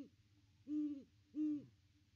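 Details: Two long, even, low hoots spaced about half a second apart, from a Great Horned Owl perched by its nest tree on Christmas Day.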